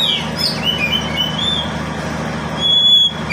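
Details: Caged oriental magpie-robin (kacer) sung as a lure for lazy birds: thin scattered whistles and chirps, then a louder sustained whistled note near the end, with a persistent low hum.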